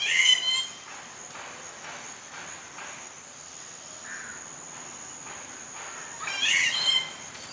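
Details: Rufous treepie giving two loud, harsh, rasping call bursts, one at the start and one near the end, with a quiet gap between them. A steady high thin tone runs throughout.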